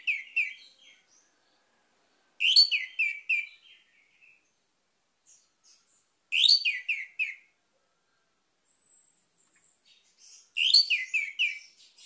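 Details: Orange-headed thrush phrases meant to spur a caged bird that has gone quiet into song. Short bursts of falling, slurred whistles mixed with high ticks, repeated about every four seconds, with silence between.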